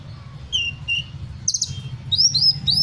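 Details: Sunbird singing vigorously and mimicking various other birds' calls: short high whistled notes, a buzzy burst, then rising, sweeping chirps repeated toward the end, over a steady low hum.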